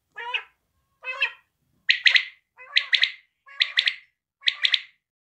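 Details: Quail calling, known locally as batair or bedana: six short calls about 0.7 seconds apart. The first two are nasal, harmonic notes. The last four are bright, rapid triple-pulsed notes, each burst clipped and sharp. The background is quiet.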